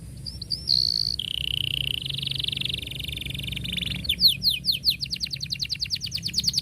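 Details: Canary singing for young birds to copy: a sustained, rattling rolled trill held for about three seconds, then a fast run of repeated downward-sweeping notes gathering speed.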